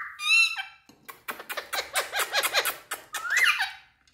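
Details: Talking Indian parrots: one gives a harsh, nasal squawk, then a quick run of chattering, speech-like syllables, ending with a rising screech.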